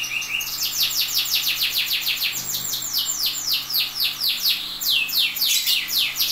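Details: Canary singing energetic tutor song meant to train other canaries. A quick string of high, sharply falling whistled notes, about three or four a second, runs over light background hiss.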